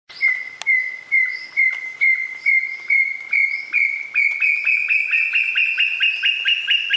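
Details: Tinamou known locally as perdiz de monte, from Uruguay: a long series of clear whistled notes near one pitch, about two per second, speeding up and rising gradually in pitch toward the end.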